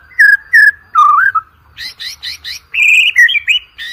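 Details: White-rumped shama song for priming birds before competitions: two clear whistles, a lower warbled phrase, then a burst of rapid buzzy, harmonic-rich notes and higher sustained whistles.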